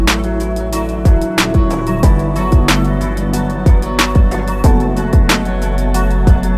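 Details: Loud music with steady drum beats and sustained instrumental tones, with no animal sounds.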